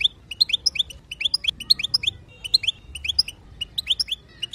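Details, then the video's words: Female European goldfinch chatter to prompt male song: steady rapid clusters of bright high twittered notes, repeated with short breaks. "بتبتة حسون وطنطنة تجعل الحسون يغرد"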